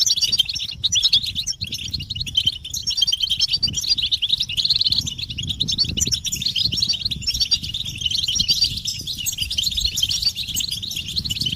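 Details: Stimulating chorus of European goldfinches, described as mating and readiness calls: high, rapid twittering and jingling from several birds runs without a break for the whole stretch, over persistent low rumbling and scattered clicks.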